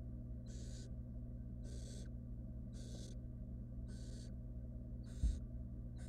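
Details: Wild barn owl nestlings in a monitored nest box as the female brings a rodent; harsh hissing snore-like begging bursts of about half a second, repeated roughly once a second, over steady low hum.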